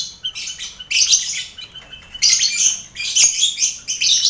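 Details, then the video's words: Lovebirds in a communal aviary mixed with finches and quail, part of mental training before bird contests; repeated buzzy, hissing shriek bouts with brief pauses, busy throughout. "Sound Koloni Lovebird"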